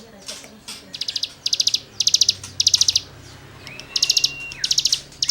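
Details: Rasping 'gesekan' song of a cigun, used for tutoring songbirds: short high buzzy bursts of about five fast notes, repeated in quick groups, with one long level whistle that falls at its end.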